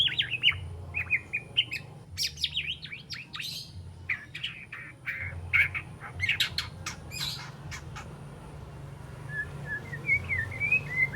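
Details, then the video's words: Three-month-old spotted juvenile white-rumped shama practising its repertoire of besetan and sharp tembakan phrases: bursts of sharp, high, slashing notes and harsh squawks, with short whistled figures and a low hum underneath. "Murai Batu Trotol Jahat Usia 3 Bulan Belajar Bongkar Isian Besetan & Tembakan Tajam"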